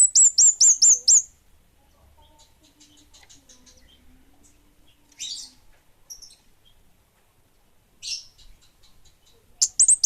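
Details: Orange-headed thrush in lively song: a quick burst of about six very high, thin downslurred notes, then quiet with a few softer chirps, and another sharp burst at the end.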